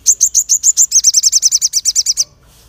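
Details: Crested jay giving a sharp call intended to provoke other birds, a loud, high-pitched, even rattle of about eighteen clipped notes delivered steadily over two seconds, then silence.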